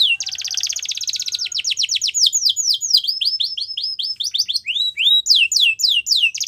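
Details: Canary singing steadily: a dense buzzy trill flows into a long series of rapid swooping whistles, roughly four notes a second, ending in higher looping phrases. Clean and loud.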